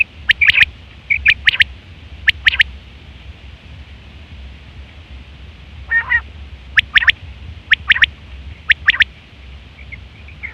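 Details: Batair quail, female, calling for trappers: sharp doubled and tripled high notes in spaced groups, with one lower nasal phrase partway through.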